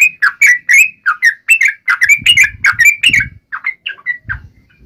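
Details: Fighting song of a yellow-vented bulbul meant to make birds answer: a run of rich slurred notes that thins out toward the end, with low rumbling noise in the middle and near the close.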